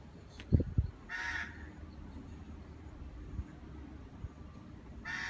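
A barn owl gives two harsh, rasping screeches about four seconds apart, each roughly half a second long, after a few low thumps at the start.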